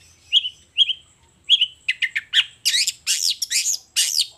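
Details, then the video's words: Long-tailed shrike singing vigorously in the morning: three clear whistled notes slurring downward, then a faster run of short clipped notes and harsh, buzzy broadband bursts. Quiet background, no other sounds. "Suara Cendet Gacor Di Pagi Hari Toet Toet Bongkar Materi"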